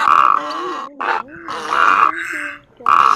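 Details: Egret calls used to lure migrants into nets after dark: short and long gravelly croaks alternate with a clipped squawk and a quiet stretch carrying faint high notes.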